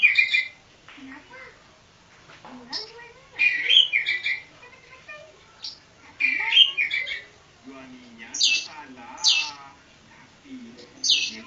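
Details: Oriental magpie-robin, Javan kacer poci, gives scattered bursts of bright whistles and harsh notes separated by quieter gaps, with some soft lower warbling sounds in between.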